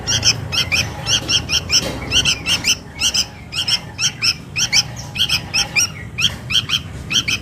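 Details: Begging sooty-headed bulbul chick calling its mother as a lure: insistent high chirps in pairs and triplets, repeated continuously at a quick, uneven pace over a low hum.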